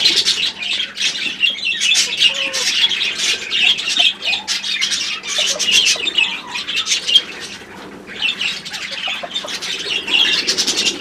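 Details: Pet budgerigars in a group give dense, continuous chattering of scratchy squawks and warbled chirps, overlapping with little pause, easing off briefly near the eighth second before resuming.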